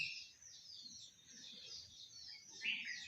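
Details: A common hill myna, kept as a talking bird and relaxing in a garden, gives a continuous run of high, chattering, whistled notes, with one louder, sharper whistle near the end over faint background noise.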